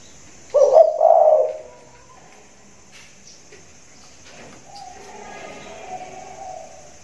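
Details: Caged spotted dove calling in the rainy season: two loud, low hoarse coos close together, then quiet with faint rustling and a soft, distant drawn-out coo.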